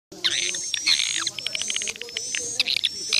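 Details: Swiftlet calls played to lure swiftlets into a bird house to roost, from Indonesia. Dense, high twittering with rapid chirps, over a sustained thin whistled tone that breaks off and resumes.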